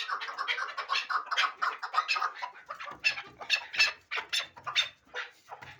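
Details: Hybrid partridge bred for fighting and hunting calling in loud, harsh notes, closely spaced early on and then spread into distinct separate calls with brief pauses.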